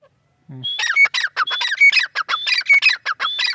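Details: Female francolin calling: after a short low note, a fast series of harsh, ringing notes, each pairing a high whistled tone with a lower falling note, repeated about once a second.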